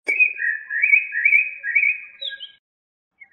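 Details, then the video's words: Blackbird producing a sustained, wavering whistled phrase lasting over two seconds, trembling between two close pitches, closed by a brief higher note. A soft click opens it. "تغريد طائر الشحرور جحمومية الزرياب Turdus merula"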